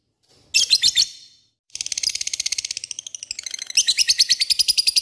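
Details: Lovebird in ngekek style, a long chattering call meant to draw a response from rivals: one harsh burst, a short pause, then a sustained rapid rattling chatter of high, grating pulses.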